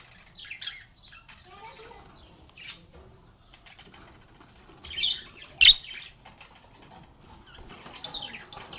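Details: Lovebirds singing, playing and talking: scattered sharp high chirps and short chattering notes, with two loud harsh squawks near the middle and soft fluttering sounds between calls.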